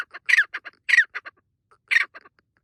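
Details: Francolin making noise while hopping happily in forest: three harsh, grating squawks, each trailed by a few shorter clucking notes, with a brief pause before the last burst; no other sounds intrude.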